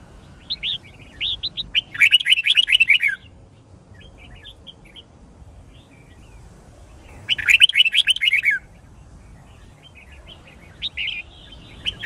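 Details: Caged white-cheeked red-whiskered bulbul in training to learn song and fight-sing, giving short whistled phrases around the middle pitch range with two louder rapid bursts of chattering notes, separated by quiet gaps.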